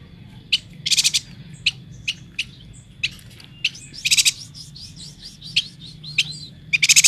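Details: Chattering yuhina from Kalimantan mixing isolated sharp high chips with short buzzy bursts of rapid notes, and an energetic trill at the very end; a faint steady high tone runs underneath.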